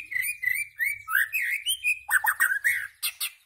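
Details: White-rumped shama song: a continuous string of clear, varied whistled phrases at a steady mid pitch, ending in quick sharp chirps with high overtones.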